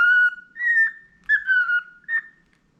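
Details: Tame, clever budgerigar whistles long, pure sustained tones in short phrases, the pitch stepping slightly up and down like a simple tune, with quiet gaps between.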